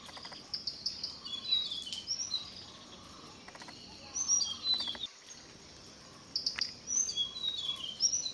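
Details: Tickell's blue flycatcher gives quiet, high, sweet whistled phrases of quick rising and falling notes. They come in three bursts, near the start, the middle and the end, over steady faint background hiss with some clicking.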